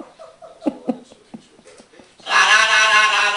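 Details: Pet green-winged macaw indoors, playing with learned words: a rapid string of light, speech-like syllables, then an abrupt, loud, harsh raspy squawk that lasts to the end.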